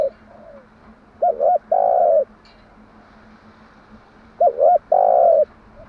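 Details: Spotted dove singing its morning coo pattern, played to lure and train doves: two matching phrases, each a quick double hoot then a long low coo, about three seconds apart, over a quiet background.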